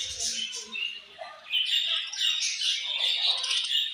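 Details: Australian budgies chatter in high, squeaky warbles and buzzy twitters, building to a denser, louder run of overlapping chirps in the second half.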